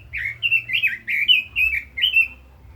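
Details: Red-billed leiothrix delivering a lively phrase of six or seven bright, rolling whistled notes, each slurring up and down, given steadily about three per second with soft background hum.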